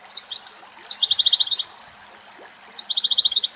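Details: Wild male European goldfinch eating from a dried thistle in Greece; a few sharp high chirps, then two rapid, evenly spaced trills of bright piping notes separated by a short pause.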